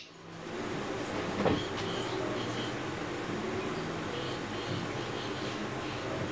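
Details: Steady broadband rumble like a passing train, with no animal call standing out.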